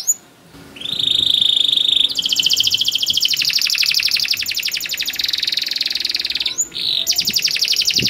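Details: Canary producing a long rolling song to train young canaries, a sustained whistle leading into very fast even trills at two pitch levels, a brief break, then more rapid rolling, over light background noise.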